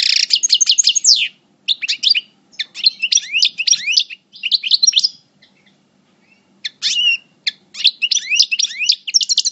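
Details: European goldfinch, Parva coupleur in moult, El Bordj: repeated phrases of rapid, high, slurred chirps and twitters, each lasting about a second, divided by short pauses and one longer silence.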